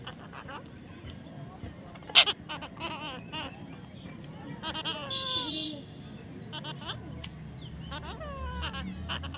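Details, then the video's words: Baby parrot giving a series of short descending whistled calls, several in quick succession, with some overlapping chirps and soft background noise. "natural funny parrot sound"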